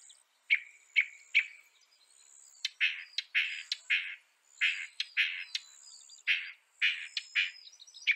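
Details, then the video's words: Northern mockingbird, North America, giving a varied run of harsh, buzzy, scratchy notes mixed with a few clearer chips, irregular in rhythm, with a faint high tone behind. "Veja o canto do pássaro, ave zombeteira"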